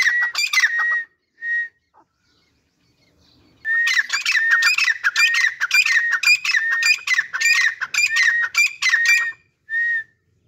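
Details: Grey francolin pair in Pakistan: a brief burst of grating notes, a lone whistled note, silence, then a long run of loud harsh ringing calls about twice a second, ending with a single clear whistle.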